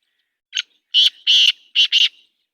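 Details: Black francolin (kala teetar) giving a loud, harsh, grating phrase: a short opening note, then four rasping notes, the second and third longer, delivered within about one and a half seconds against silence.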